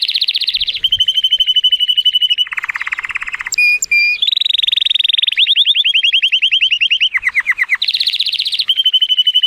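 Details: Male Timbrado Español canary, rated 83 points and born in 2018, singing powerfully in sunshine: continuous rolling trills stepping between high and low pitches, a short pure whistle, and a run of rapid rising slurred notes.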